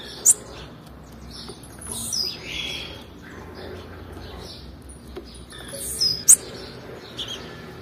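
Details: Calls of a female blue-black grassquit, given to stir up males: a sharp, very high chirp at the start and another pair near the end, with softer faint notes and constant hiss between.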